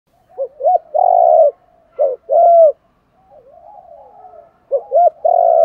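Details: Spotted dove coos, played to lure wild doves, with thúc, calling and fighting coo styles. Short rising notes lead into a long, steady low coo. The phrase comes twice, with a softer wavering murmur between them.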